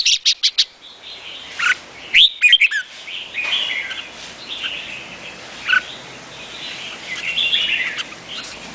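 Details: Vietnamese-type red-whiskered bulbul with a few sharp chirps at the start, then a burst of bright sweeping whistles, brief loud notes, and continuous faint warbling from other birds behind.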